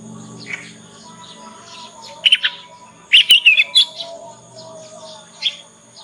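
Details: Young Yorkshire canary learning ngriwik, a lure song to make other canaries answer; soft scattered twitters building to a quick run of bright chattering notes, then a lone chirp, over a low hum.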